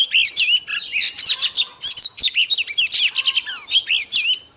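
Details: Oriental magpie-robin, a female used to excite males, delivers a dense rapid song of high whistles, down-slurred notes and chattering bursts, nearly continuous for several seconds.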